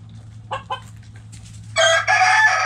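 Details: Backyard chickens in the coop: a couple of short clucks, then a loud harsh rooster crow starting at about 1.8 seconds and breaking into a second drawn-out phrase, over a steady low hum.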